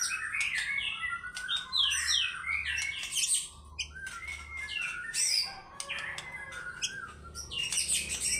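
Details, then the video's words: White-rumped shama, fighter-style song: jumbled bright whistles, slurred glides and harsh chattering notes tumbling rapidly together, with a low hum faintly underneath. "MURAI BATU GACOR FIGHTER BONGKAR ISIAN"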